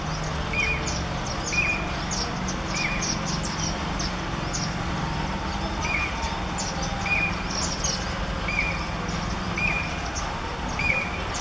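A pied cuckoo gives short, clear whistled notes repeated about once a second, over steady background hiss, a low rumble and faint insect ticking.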